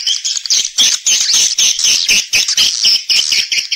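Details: Swiftlets heard on a farming lure track that attracts them to roost and nest: high, bright chirps repeated quickly, roughly four per second, in a rhythmic, slightly buzzy chatter.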